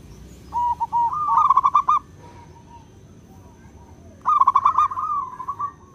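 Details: Local wild zebra dove singing actively, a recording meant for luring birds. Its clear, trilled cooing phrases wobble and roll at a mid pitch, two phrases about three seconds apart, over a low rumbling background and a faint steady high tone.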